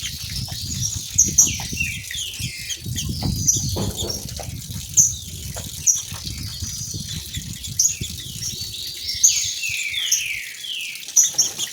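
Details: Two female green-winged saltators call back and forth with a run of quick descending slurred phrases and crisp high notes, used to make males sing. A waterfall roars steadily in the low range throughout.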